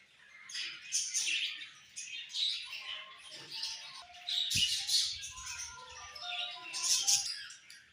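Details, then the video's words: A budgerigar flock chirping during morning feeding, soft continuous high chatter with clear short whistled notes stepping up and down, and a thud near the middle. "Budgies Morning Food And Chirping Sounds"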